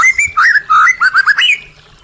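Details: White-rumped shama song used to spur caged birds that have gone quiet: a dense, fast phrase of mellow whistles and warbled notes lasting about one and a half seconds.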